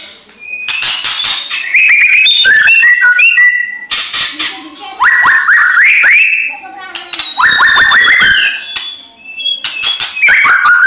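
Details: White-rumped shama in fighting-mode song, used as a lure to make other shamas answer: loud varied whistled phrases, rising and falling, broken by sharp broadband clicks and rattles, in bursts separated by short pauses.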